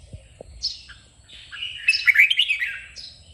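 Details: Red-whiskered bulbul singing in a 'kích bổi' training recording meant to fire birds up: a short sharp note, then a rich tumbling warble that builds to loud, quick twittering notes, ending with a brief high phrase.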